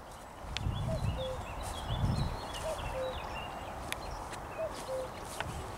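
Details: Common cuckoo calling on 12 May 2021: three two-note cu-coo calls, the first note slightly higher, about two seconds apart. Another songbird warbles high above, with soft low thumps like footsteps.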